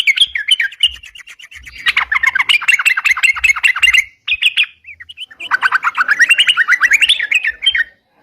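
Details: Sooty-headed bulbul, known locally as crucukan, singing the busy 'ropalan' style used to lure birds: long streams of quick chirping notes, a short gap, then a rising, tumbling series of rapid notes.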